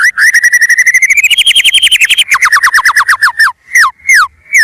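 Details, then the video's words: White-rumped shama in full song as a lure: a rapid stuttering trill of about thirty whistled notes that climbs slightly, then a series of falling slurred whistles with short pauses. "MURAI BATU GACOR"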